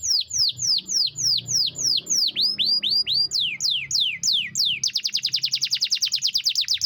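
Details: A canary singing a long rolling song: a series of fast downward-sweeping whistled notes repeated about three times a second, then a quicker, tight trill of rapid repeated notes.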